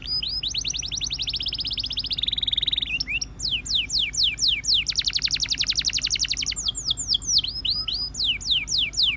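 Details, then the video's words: Russian canary in full song, moving from descending whistled sweeps into a steady high rolling trill, a lower rattling phrase, a very fast buzzy trill, then more swooping notes. "The Russian Canary Invites All Canaries to Sing"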